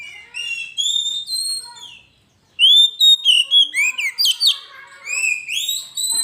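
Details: ['Oriental magpie-robin in full song, recorded as a lure for training birds: varied, high whistles and slurred phrases, a short pause, then loud, rapid notes roughly every quarter second, sweeping up and down.']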